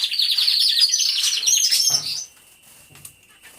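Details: Canaries in an aviary singing: about two seconds of dense, fast high trilling and chirping, then a sudden drop to near silence with a faint thin whistle and a soft low knock.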